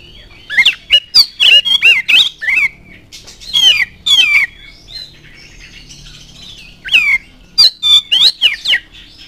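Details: Provoking song of an oriental magpie-robin: dense strings of loud, varied whistles and rasping notes, a calmer middle stretch with softer slurred tones, then another rapid series of sharp whistled phrases.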